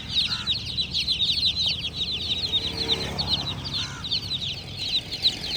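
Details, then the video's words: Baby chicks peeping nonstop in a crowd, quick high downward-sliding chirps packed closely together, with an occasional lower call and a soft low hum. "Chimerical BABY Chicks are Doing Chirping Sounds! MURGI Ke Bacche!"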